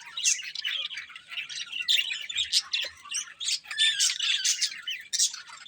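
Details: Several pet budgerigars chirping together in dense, overlapping bursts of scratchy, warbling chatter with short squawks, the sound rising and falling in pulses without pause.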